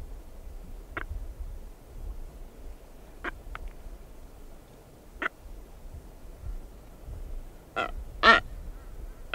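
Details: A female blue-footed booby walking around her nest site gives close, short, harsh, duck-like honks, about six spaced unevenly over nine seconds, over a low steady rumble of wind or surf.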